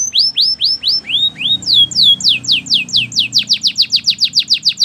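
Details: Belgian canary song used for training, made of repeated falling whistled notes, slow at first and then quickening to a rapid run of sharp descending chirps, with faint low background hum.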